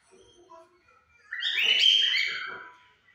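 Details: A white and a yellow cockatiel sing as a pair at 5 pm. Faint soft chatter comes before one drawn-out, loud rasping screech.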